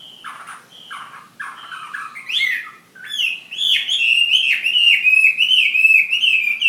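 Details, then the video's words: Hwamei kept as a fighting bird, from Hà Giang: scratchy, low-pitched notes at first, then a loud, fast stream of fluty whistles wavering up and down without pause. "Họa mi chiến Hà Giang"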